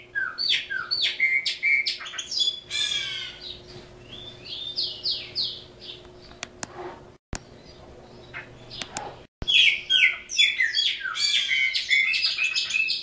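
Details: Caged chopi blackbird, a bird native to Brazil, singing a varied song of clear whistles, slurred rising and falling notes and buzzy bursts, delivered in phrases with brief pauses, over a steady low electrical hum.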